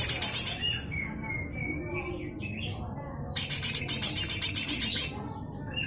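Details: Coarse 'besetan kasar' song from a lesser green leafbird (cucak hijau mini), intended as tutor audio for magpie-robins and shamas: two loud bursts of rapid harsh rasping notes separated by softer whistled phrases.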